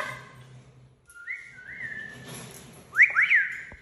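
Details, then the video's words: A pet Amazon parrot saying hola gives a drawn-out, slightly wavering whistle, then a loud, quick burst of rising-and-falling whistled syllables like a greeting. "Loro diciendo hola"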